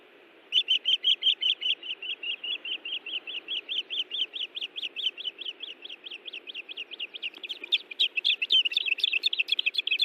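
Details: Osprey pair defending their nest at Hellgate Canyon, Missoula, Montana, on 18 June 2017, recorded by a nest camera; a long, rapid series of sharp, high whistled chirps, steady at first, then faster and more overlapping.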